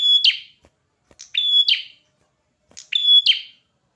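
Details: Actively singing red-headed prinia gives three phrases in four seconds. Each is a high thin note, then a sustained clear whistle that breaks into a buzzy descending rasp. Nothing else is heard.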